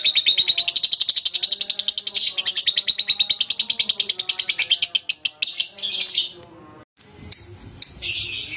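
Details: Young lovebird lure recording: a fast, continuous high-pitched rattling chatter for about six seconds, then a brief silence and scratchy noisy bursts.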